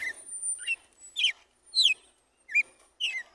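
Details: Red-cowled cardinal in 'tiro de guerra' song, morning, pure wild style: a brisk run of about six bright whistled notes, each falling quickly in pitch, with brief gaps between them.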